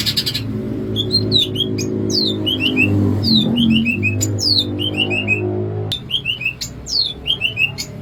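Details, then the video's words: Greater green leafbird of Banyuwangi's Alas Purwo in bebeciu song: bright descending whistles in rapid groups of three or four, with steep high downslurs. Loud low droning instrumental music plays underneath. "CUCAK IJO BANYUWANGI/ALAS PURWO SUARA Asli BEBECIU"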